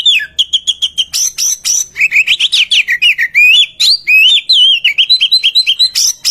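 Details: Oriental magpie-robin song used as a lure to encourage silent birds to sing: steady repeated notes, then clear whistles sliding up and down in wavy phrases, finishing with quick repeated rising chirps.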